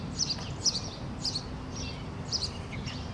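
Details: A little male sparrow singing in a tree on April 28, 2017 gives bright, high chirps in short clusters about every half second, over a low background rumble.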